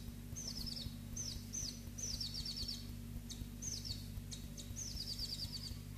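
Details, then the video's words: Two captive black-throated bushtits give high, thin trilled phrases, each a short descending twitter repeated several times over a steady low electrical hum with faint background noise. "Codibugnolo testa rossa"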